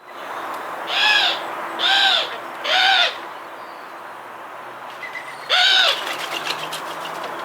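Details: A Eurasian Collared Dove in a Hampshire, UK garden in 2020 gives harsh, nasal 'kwaah' calls, three about a second apart, then a fourth after a pause, over faint hiss; when flying in, these doves announce arrival with this sound.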